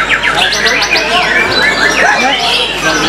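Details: White-rumped shama at a songbird contest, the bird that won first place in the main class: rapid, rich whistled phrases sweeping up and down, tumbling densely, with other songbirds and faint voices behind.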